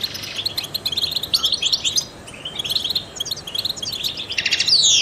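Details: Trained goldfinch, sung to stimulate other songbirds: quick tinkling chirps and twitters in a running stream, ending in a loud bright sweeping whistle.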